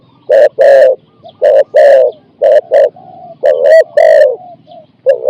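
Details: Spotted dove kept as a decoy for catching wild doves, giving 'ku-ang' style cooing of four to five syllables: loud paired hoarse coos alternating with softer, drawn-out coo notes in between.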